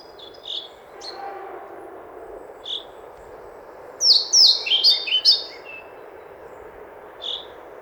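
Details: European pied flycatcher with a few isolated high chirps, then a rapid run of ringing, see-sawing notes lasting about a second and a half, followed by another lone chirp; faint background hiss.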